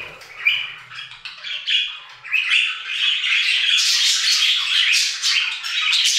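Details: Budgerigars singing in an aviary, starting with scattered squawks and chirps, then swelling into a dense, harsh high-pitched chattering chorus.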